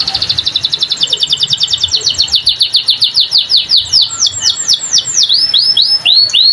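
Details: Canary delivering a lively song: a rapid rolling trill of high notes breaking into slower, well-spaced downslurred whistles, repeated steadily to the end.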